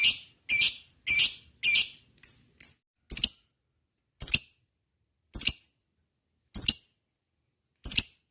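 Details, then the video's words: Lovebird giving shrill, harsh, high chirps, used to provoke other lovebirds to sing: a fast burst of about six calls, then single sharper chirps roughly every second and a quarter, in a quiet setting. "Pancing EMOSI LABET SUPAYA bunyi,suwara pangilan burung lovebird,suara lobet"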